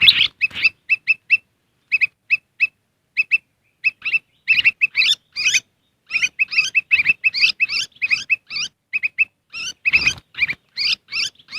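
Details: Black-crested bulbul lure call, used to draw wild birds in quickly: short, sharp, doubled chirps repeated in clusters, becoming denser and busier in the second half with a few harsher, broader notes.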